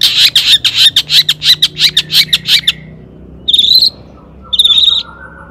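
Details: Long-tailed shrike singing loudly to lure other shrikes into answering: a fast rattling burst of rasping notes for nearly three seconds, then two drawn-out buzzy squeals with a faint low whistle between.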